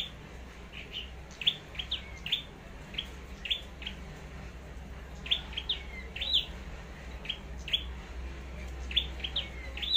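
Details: Red-headed flowerpecker, a Long Thành bird in competitive song trained as a decoy: a busy stream of sharp high tick notes and short downslurred chirps, nearly continuous, over a steady low background drone.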